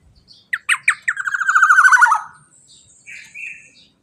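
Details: Loud black-naped oriole phrase in 'teler' style, used as a lure to get other birds singing: three harsh rising notes open a fast, descending, grating trill. Two quieter chirps follow.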